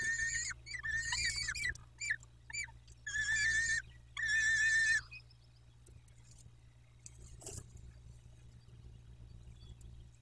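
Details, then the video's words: At a peregrine falcon nest in Dobra on 14-05-21, a burst of harsh, harmonic wailing cries comes in several blocks over five seconds, then falls quiet with only faint noises and a low hum. "Sokoły - Codzienność w Dobrej"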